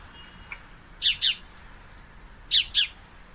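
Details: A male sparrow watching two female sparrows fight gives paired bright chirps, two quick notes together, repeated about every one and a half seconds over a quiet background.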